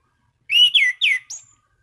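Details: Orange-banded thrush singing to provoke rival thrushes into song: a rising whistle followed by two loud downward-slurred whistles and a short, high, thin note.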